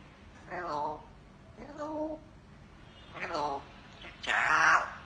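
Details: Talking African grey parrot imitating human words in Vietnamese, producing four separate speech-like bursts roughly a second apart; the last is louder and harsher, with low room hum underneath.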